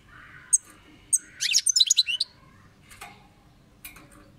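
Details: European goldfinch singing: a few isolated sharp high notes, then a quick burst of tinkling, twittering notes, followed by scattered single chirps against a quiet background.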